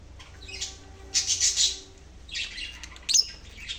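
A lovebird gives harsh, shrill, buzzy squawks in three short bursts, with brief high chirps between them and a quiet hum underneath.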